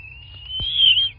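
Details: Bald eagle nest in southwest Florida, nest camera, 8 March 2024, 11:00; a single clear high whistle that swells louder and slightly rises before dropping off, with a soft thump midway and low hum behind.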